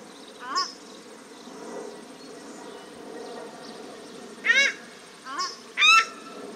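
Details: A male and a female paradise shelduck at Cornwall Park, Auckland, New Zealand, give short, shrill, nasal honks in bursts, two close together near the end, over a steady background hum.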